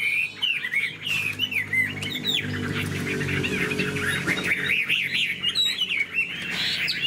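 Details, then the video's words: Caged Chinese hwamei with a fanned tail in full song, including laughingthrush-style phrases: fast tumbling whistles and trills, with a low steady hum running underneath throughout. "Họa mi đuôi xòe chơi cánh, bóng bộ cực đẹp, hót vẩy đuôi khướu"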